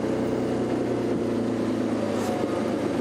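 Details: A steady vehicle engine idles with a low hum and broadband rumble, and no animal voice comes through.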